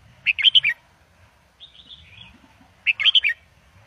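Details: Indo double style song of a caged red-whiskered bulbul, played to teach young birds: two compact phrases of four or five rich, fluty whistles each, with a soft warbling murmur in between.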